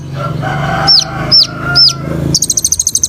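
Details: Olive-backed sunbird in full song for bird-training therapy: three sharp down-curving whistles about half a second apart, followed by a fast, high, buzzy trill, over a steady low hum.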